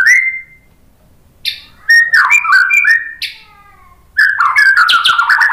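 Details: Varied whistled song of a white-rumped shama played as a lure for caged birds, opening with a clear rising whistle, then a rich warbling burst, a pause, and a busy chattering phrase at the end.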